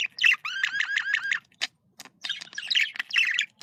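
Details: Budgerigar communication calling: a quick series of warbled, slightly nasal chirps with a wavering pitch, a short pause, then a denser burst of scratchy twittering.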